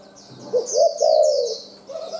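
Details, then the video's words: Wild-caught spotted dove calling quickly: a short coo, then a longer rough coo that holds about half a second before trailing off. A few more soft coos follow. Bright twittering of other birds overhead. "cu gáy bổi rừg ra lèo rặm mau, chu thưa"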